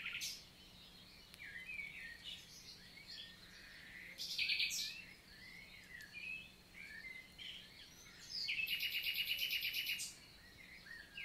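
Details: Common nightingale (Luscinia megarhynchos) in countryside forest, La Vallée du Célé, Lot, France, daytime on 11 June 2023; scattered whistles and short phrases lead to a loud, evenly pulsed trill of about two seconds near the end.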